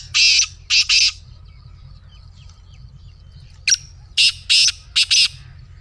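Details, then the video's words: Black francolin call meant to set off a kept francolin: two harsh grating phrases, each a short note then a double rasp, the second phrase after a three-second pause and slightly longer, against quiet low background noise. "Black Teetar Voice"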